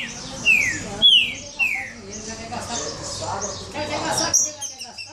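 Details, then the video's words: Agitated pixarro, Brazilian saltator, rasping and snapping angrily, from an aviculture breeder in Sorocaba, São Paulo: three loud downward-slurred whistles in quick succession, then fainter chatter with people talking and background noise. "Pixarro trincando e roncando."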